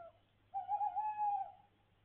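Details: Tawny owl calling at night from a rooftop over a window: a sustained, slightly wavering hoot lasting about one second, set against a steady low electrical hum.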